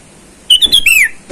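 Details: Wild sooty-headed bulbul calling to rivals, used to lure wild birds: a single quick phrase of clear whistled notes that ends in a longer downward slur.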